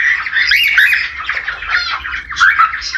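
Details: Australian budgerigar breeding call, used to encourage pairs to mate and lay eggs: a rapid, scratchy warble of chirps, rasps and short whistled notes, steady without pauses.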